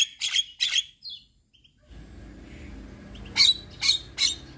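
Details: Male Javan myna, kept to teach other mynas, gives two harsh chattering notes, a quiet pause with low background hum, then three more sharp rasping notes.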